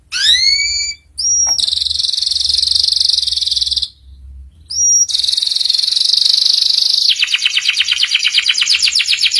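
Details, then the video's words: Ngeriwik-style canary master song for young canaries to learn: a falling chirp, then long steady buzzy trills cut by short rising whistles, with a brief gap near four seconds, ending in a rapid rolling rattle. "PANCINGAN SUARA KENARI PAUD CEPAT BELAJAR BUNYI NGERIWIK || MASTERAN KENARI PAUD"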